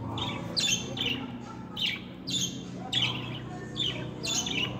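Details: Pet budgerigars, described as talkers of both sexes, repeat rough, buzzy squawking notes about once per second, each a harsh descending smear, against a soft low hum.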